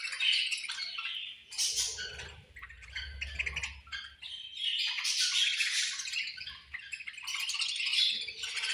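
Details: Budgies chattering at feeding time: dense overlapping warbles, harsh squawky notes and high chirps in waves, with soft low rumbles and knocks beneath.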